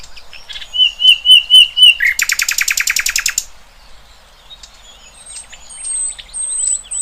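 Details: Birdsong in the wild: a series of looping whistled notes, then a rapid buzzy rattle of evenly repeated notes, followed by quiet scattered high chirps.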